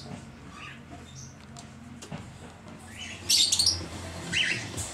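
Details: This year's young Red-winged Parrots (Aprosmictus erythropterus), 2014, give a few faint chirps, then two harsh, screechy bursts about a second apart near the end, over a low background rumble.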